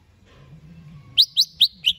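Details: Greater green leafbird said to be ready for a singing contest, giving four loud, bright, sharply rising chirped notes in quick succession after a quiet start with low background hum.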